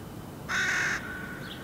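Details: A hooded crow fledgling on rocky ground in Helsinki, Finland, in July, walking and hopping, gives one harsh, nasal caw lasting about half a second, followed by a faint thin tone and a brief higher note.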